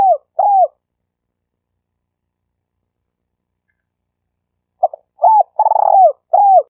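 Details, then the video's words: Spotted dove lure call in the stuttering 'gagap' style, used to train newly caught birds and to attract birds when hunting: two short, low, arched coos, a four-second silence, then a burst of coos with a rapid stuttering flutter in the middle, over a silent background. "Suara burung terkukur"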